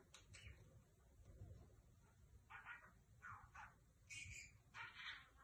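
A lovebird gives short, harsh, high chattering squeaks in quick bursts about every half second, over a low background rumble.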